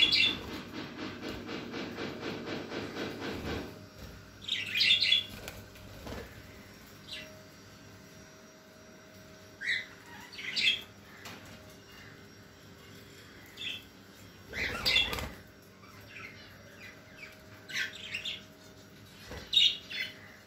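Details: Pet budgerigars being fed corn give short, scratchy high chirps at irregular intervals after a burst of rustling chatter.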